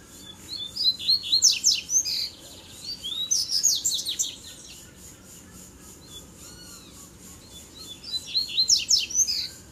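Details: Three wild male Double-collared seedeaters fight in a duel. Three energetic bursts of rapid high chips and whistles come roughly every three to four seconds, with a faint lower note between them.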